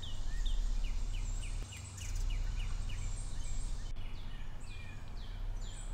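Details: Carolina chickadees eating nuts and seeds at a backyard feeder in North Carolina; one gives a quick run of about ten high, down-slurred notes, then scattered sweeping calls, over a steady low rumble.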